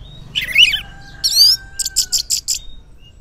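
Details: Morning song of an Orange-headed thrush, used to prompt silent males to respond: a tumbling warbled phrase, a buzzy rich note, then six quick evenly spaced high chirps.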